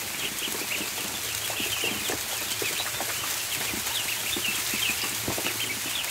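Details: Many ducklings on a barn floor at feeding time, a dense chorus of high, thin peeps rising and falling continuously over steady rustling and pecking noises.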